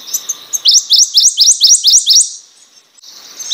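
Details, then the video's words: One phrase from a Prothonotary warbler, roughly eight crisp rising notes delivered at a steady, even pace before fading out. "Prothonotary Warbler Song.(Protonotaria citrea)."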